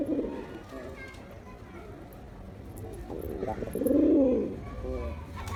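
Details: Male pigeon calling to attract a female, giving a short low coo at the start and a stronger, throbbing coo near the end, with soft murmuring and background rustle in between.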